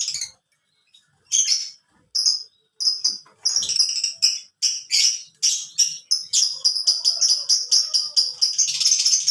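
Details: Canary song built from short, high whistled phrases, repeated roughly once a second and speeding up into a tight, continuous trill toward the end.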